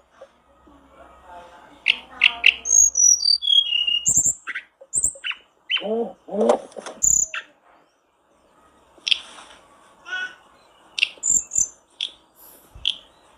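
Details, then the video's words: A hill blue flycatcher, used as a lure to get other flycatchers singing quickly, sings bright, high, downward-sliding whistles mixed with quick chips and sharp notes in uneven bursts, with short pauses between phrases. "reaksi tercepat buat pancingan tledekanmu agar cepat gacor"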